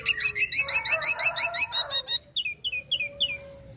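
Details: Female Nias hill myna in breeding condition calling the male: about a dozen loud, harsh high notes in quick regular succession, followed by a string of shorter falling chirps and a faint steady whistle behind.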